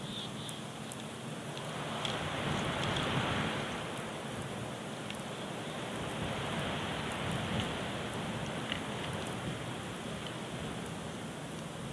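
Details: Steady rain patters on a surface throughout, a dense wash of noise with no clear animal calls.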